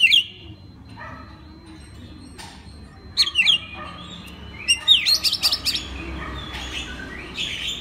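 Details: Oriental magpie-robin master song for training other magpie-robins to sing: a clear whistled opening, sparse short notes, then a lively cluster of sweeping whistles and chirps midway, trailing off into quieter notes, with a thin steady whine behind.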